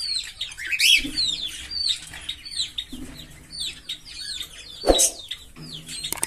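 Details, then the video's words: Green Fischer's lovebird pair, likely caged, singing: dense rapid chirps and twittering, many short rising and falling squeaky notes, with a loud sharp burst near the end. "Lovebird Singing & Chirping Sounds"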